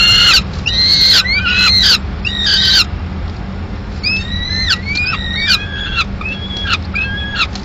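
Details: At a Madrid nest on 15 May 2016, a male peregrine falcon delivers a live swift and the female kills it. Strong stacked call notes open the recording, then softer, rising and levelling notes follow in a looser series.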